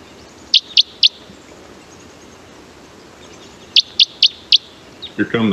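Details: Red Crossbill flight calls: three quick, high plinking notes, a three-second pause, then four more, evenly spaced. A human voice starts at the end. These may be type 4 (Douglas-fir specialist, V-shaped plinks) or type 2 birds feeding in the same lodgepole forest patch.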